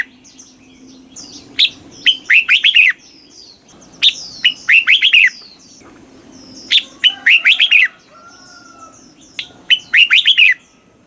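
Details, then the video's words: Southern master-style song of a red-whiskered bulbul in Thailand, played to excite caged birds and teach young birds: four energetic phrases of tumbling whistled notes, each opened by a sharp higher note, spaced about every two to three seconds. "เสียงนกกรงหัวจุก ร้อง ริก เปิดให้นกฟัง ยั่วให้นกคึกจัด chao mao hot, chào mào hót"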